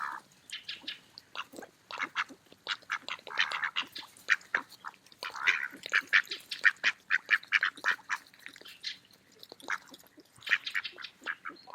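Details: Mallards eating in a park in autumn: a steady stream of overlapping nasal quacks and soft chattering, about one and a half calls per second at irregular intervals, with bill-snapping feeding sounds throughout.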